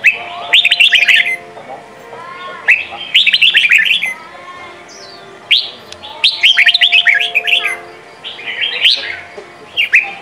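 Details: Red-whiskered bulbul singing Sông kon training song meant for young birds to learn from: short bursts of quick, slurred whistles repeated roughly every two to three seconds, with a faint steady hum beneath.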